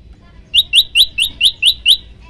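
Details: Prenjak lumut prinia heard in a tutor recording of one long burst: seven loud, piercing high notes, each a quick upward flick, given in an even rhythm about four per second.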